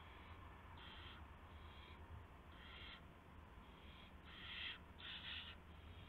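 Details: Owl at its nest at 1:00 AM on 24 March 2016, when a gopher was brought in as prey; harsh hissing screeches of uneven length, about seven bursts in six seconds, over a low steady hum.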